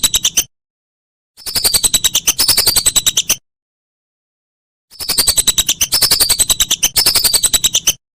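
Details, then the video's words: Repeated whistling duck calls meant for tutoring songbirds: short fragment, then two longer bursts of rapid pulses topped by thin falling whistles, with sharp silent breaks between. "Masteran Burung Belibis"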